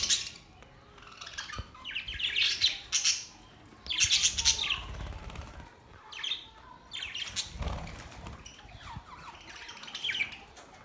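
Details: Budgerigars, pet parrots in a breeding setting, recorded May 29, 2023; bursts of bright, scratchy high chirps and warbles come in clusters a second or two long, separated by brief quiet gaps, with some soft low thumps.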